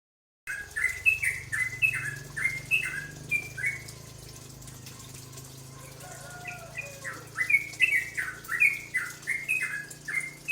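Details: Cucak ropel bulbul singing as a lure song to provoke other birds: a steady string of clear whistled two-note phrases dipping downward, repeated rapidly, pausing midway before resuming, over a low steady hum.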